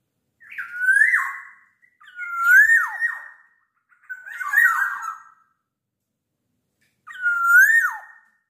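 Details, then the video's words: Black-naped oriole singing at night, calling actively: four rich whistled phrases about a second long, each swelling then sliding up and ending in a downward flick, separated by short silences; a quiet indoor setting with no other sounds. "Burung kepodang emas gacor di malam hari"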